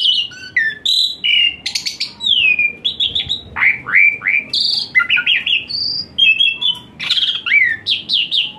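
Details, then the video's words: Asian pied starling song rich in fill-in phrases and hot-shot bursts, played as therapy so a lazy starling sings more: varied downward-slurred whistles, sharp clicks, and chattering notes in a busy, continuous stream. "Full Isian Mewah TEMBAKAN PANAS Khas Jalak Suren UNTUK TERAPI Jalak Suren Malas Bunyi Jadi Rajin"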